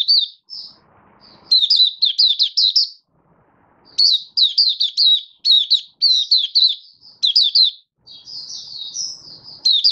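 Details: Malaysian white-eye (mata puteh) singing in a bird-hobby setting, recorded 27 February 2023: bright, high twittering phrases of quick rising and falling notes in bursts of one to two seconds, with short pauses between.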